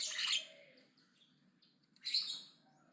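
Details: Javan myna, aggressive and singing loudly: two harsh, broadband rasping bursts about two seconds apart, with faint whistled notes between them.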